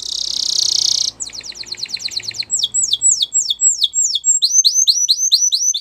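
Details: Canary song opening with a sustained high buzzing roll, then a quick series of short ticking notes, swooping downward whistles, and finally fast repeated hooked chirps, all clear and loud.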